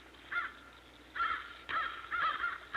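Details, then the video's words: Crow giving an alarm call at a sign of danger, the enemy being a hawk; short harsh caws in separate bursts, one near the start and several clustered later, over a quiet background. "at a sign of danger Crows Give an alarm call"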